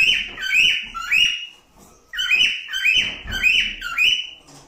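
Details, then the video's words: Cockatiel song: bright whistled phrases in bursts of rising and falling notes, several quick notes each second, with short pauses between groups, heard indoors. "تغريد طائر الكوكتيل ( الكاروان ) / كالوبسيت"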